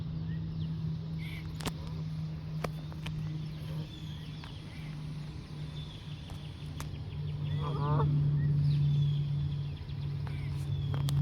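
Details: Geese taking flight when chased, giving a few nasal, harmonic honks, most clearly a short burst around eight seconds in, over a steady low engine-like hum and scattered clicks.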